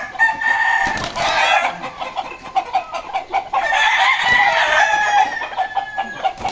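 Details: Jiro-type fighting rooster described as fierce, giving two long harsh crows with broad raspy tone, separated by a pause of clucking and rustling noise.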